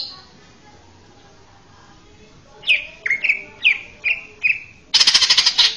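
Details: Quiet opening, then a male greater green leafbird sings five evenly spaced down-slurred whistles, ending in a loud harsh buzzy chatter. The recording serves as a master song for training young birds.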